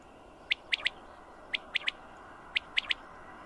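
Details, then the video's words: Male common quail calling: crisp three-note phrases, each a sharp first note then two quick notes, repeated about once a second three times, over steady low background hiss. "common Quail male / Bater ki Awaaz"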